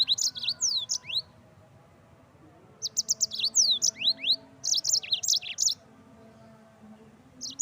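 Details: Yellow-fronted canary singing loudly for training songbirds: high twittering notes and falling whistles, a pause, then repeated phrases of quick, bright chirps.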